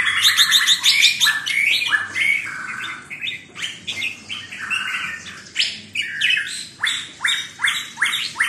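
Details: Red-whiskered bulbul song of the 'sai nap dok' note-counting style, a busy unbroken stream of sharp whistled notes and chirps repeated roughly three times per second, with steady fluting phrases overlapping throughout.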